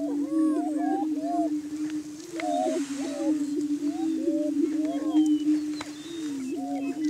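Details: On a Washington County, Kansas booming ground, Greater Prairie Chickens display at dawn hours, spring: a constant low moan that dips in pitch at times, topped by clustered looping whoops and cackles.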